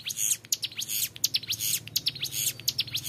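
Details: Brief stretch of a young hill prinia singing ngebren: shrill, rapid rising and falling notes run together into a bright, continuous trill over a faint low hum.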